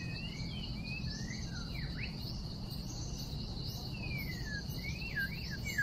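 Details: White-rumped shama, wild, singing in a trapping context on 12 December 2016: varied whistled phrases with sharp downward and upward slurs, pauses between bursts and a lively series near the end, all set against a continuous buzzing insect chorus and low background noise.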